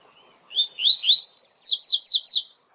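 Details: Double-collared seedeater (coleiro) singing the "tui tui zel zel" song type, used for training: a few clear, high whistled notes, then about six fast, bright, down-slurred phrases repeated rapidly. Nothing else is heard.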